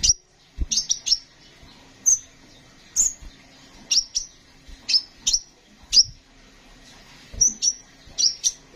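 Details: High, needle-thin sunbird chirps from a kolibri ninja in lively song, delivered singly and in rapid doublets and triplets across nearly nine seconds, with a few faint low taps.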